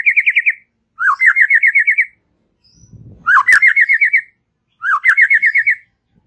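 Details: White-rumped shama in relaxed chatter, played to stimulate young and wild-caught young birds. Four rhythmic phrases of rapid wavering pulses repeat steadily, each starting with a quick upslur, with a brief low thump and click between two of them.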